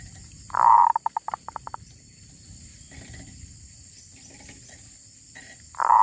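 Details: Wild female zebra dove. A loud coo breaks into a quick string of clipped notes that slows and fades. A second coo begins at the end, over soft background rustle.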